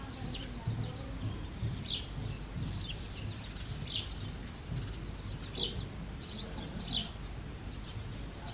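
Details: A male house sparrow, recorded close up in the early morning, gives short, bright chirps, about one or two a second, over a steady low rumble of background noise.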